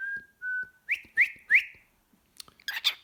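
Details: Pet cockatiel singing indoors before cuddling: two level whistles, then three rising upslurred whistles, followed by a few rough chirps.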